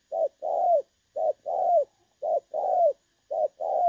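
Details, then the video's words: Clear-voiced 'đồng son' call of a spotted dove used to lure doves into traps, recorded 16 August 2024. Four evenly spaced pairs: a brief coo followed by a drawn-out coo sliding downward, set against silence. "ĐỒNG SON | Giọng trong nghe hay | clip 840 . Viện kt 0905459290 | Bẩy cu gáy 16/8/2024"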